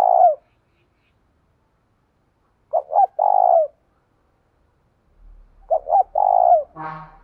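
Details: Spotted dove calling to challenge a rival in the deep 'giọng thổ' voice style: a clipped note at the start, then two full phrases, each two quick short coos followed by a long drawn coo dropping at the end.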